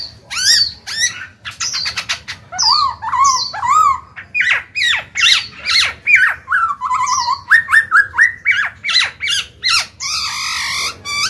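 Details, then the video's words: Energetic song of a caged Black-throated laughingthrush, used to urge newly caught birds to sing: long continuous stream of quick sharp chips, slurred whistles and chattering notes, ending in a harsh rattling phrase. "Khiếu bạc má chuyền hót kích bổi mở mỏ ngay."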